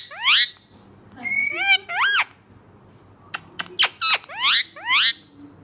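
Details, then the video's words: Rose-ringed parakeet speaking Urdu words like mian mitho and choori khani at speed, with shrill upward-sweeping squawked syllables, a short pause of clicks, then more rising squeals. "Talking parrot saying mian mitho choori khani|Green ring neck best talking parrot"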